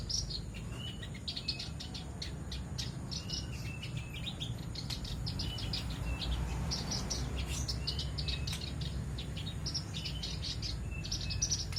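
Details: Male black-browed reed warblers kept together in a group cage, singing actively: quick high chirps and short trills, many overlapping and repeated, over a steady low rumble and insect-like hiss.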